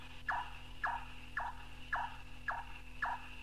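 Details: Large-tailed (white-tailed) nightjar from an old cassette of North Queensland tropical rainforest birds, gives six hollow, knocking 'chonk' notes, about two a second, each dropping sharply in pitch, over a steady low hum and a thin high whine.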